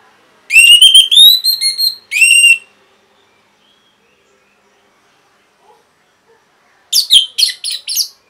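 An orange-headed thrush sings rich, varied whistled phrases, a burst of rising notes, a short pause, then a brisk run of sweet warbled notes near the end.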